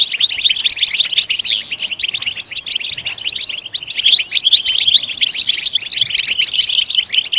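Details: Fast, chattering European goldfinch song for stimulating singing. An early downward-sweeping buzzy slur leads into dense high twitters, which soften briefly and then build back to full strength.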